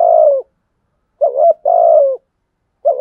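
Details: Spotted dove used as a decoy, cooing to provoke rival doves to fight: deep, smooth, slightly falling coo phrases with a short stuttered note before a longer drawn-out one, spaced by about a second of silence.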